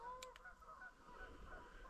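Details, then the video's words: Ducks flying in at dusk to a lakeside camping and fishing spot, arriving because darkness makes it safe for them. Nasal, honking calls with a clear tone open the clip, two sharp clicks follow, then fainter calls over steady background hiss. "I don't know if you can hear the ducks, but the ducks are coming in."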